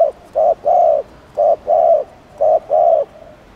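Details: Spotted dove repeating its provoking coo: three loud paired phrases, a clipped note followed by a longer, rounded coo, spaced about a second apart.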